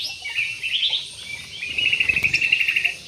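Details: Parakeet in an aviary producing a rough screech, then a quick rattling, stuttered chatter of rapid pulses.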